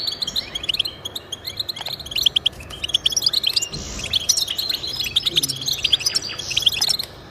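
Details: Goldfinch song intended to prompt pet goldfinches to sing, with rapid high chattering and trills throughout, plus a short low thump near the four-second mark.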